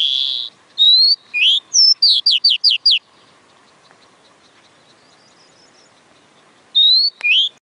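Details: Oriental magpie-robin song of loud whistled phrases, sweeping up and down, then a quick run of five sharp descending notes, a pause of nearly four seconds, and two more whistled phrases to finish; faint hum in the background.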